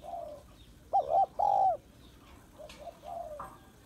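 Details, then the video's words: Female spotted dove calling to excite males: softer coos, then a loud wavering note and a long steady coo, followed by quieter cooing and a brief click. "Tiếng Cu Gáy Giọng Hạp BổI ĐỦ BÀI [ GÁY GỌI,THÚC,GÙ ]Kích Bổi Nhanh Nổi"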